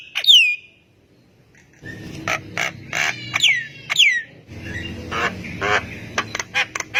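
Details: Javan myna singing vigorously, prompting other mynas to answer: sharp descending whistles and harsh broadband squawks and rattles in bursts, with a pause after the opening whistle and dense noisy chatter throughout the rest.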